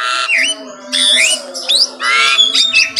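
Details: Morning song of an Asian pied starling: harsh squawky bursts alternating with short rising whistles, separated by brief pauses, over a faint constant hum.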